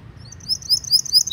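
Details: Canary tutor song, a long recording meant for training young canaries and prompting silent ones to sing: a fast run of high, bright trills and chirps, rising in loudness over about a second, with a faint low hum underneath.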